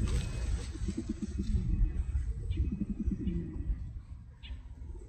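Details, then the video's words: Pigeons coo in soft, low, throaty rolls, two burbling phrases a couple of seconds apart, over a steady low rumble. "Pigeon Sound"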